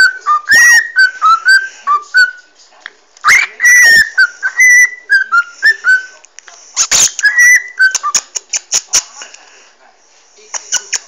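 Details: Captive pet parrot, recorded by phone while enjoying head scratches, giving scattered short whistles and sliding notes broken by sharp clicks, chatter and rustling handling noise, quieter toward the end.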